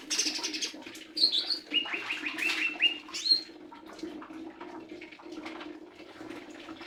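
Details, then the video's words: Lesser green leafbird singing a series of clear rising whistled notes and sharp chips, loudest in the first half, fading to quieter twittering against a steady low hum. "Burung Hijau Daun Kecil"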